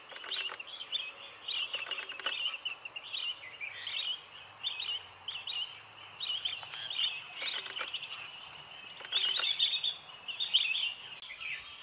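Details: Chestnut-headed bee-eater (Merops leschenaulti) giving a steady run of short, rolling, chirping notes in quick succession, over a constant high insect hiss.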